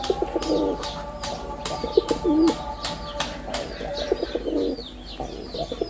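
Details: Male red-bordered wild pigeon performing: a series of low, rolling, throaty coos repeated through the clip, with high chirping from small birds and a steady tonal hum in the background.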